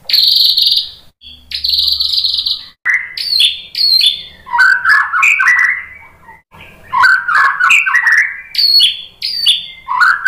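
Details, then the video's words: White-rumped shama song meant to draw a response: high buzzy bursts, then a fast varied run of whistled, chattering and trilled phrases with brief pauses. "SUARA MURAI BATU Untuk Memancing EMOSI JADI NYAUT GACOR"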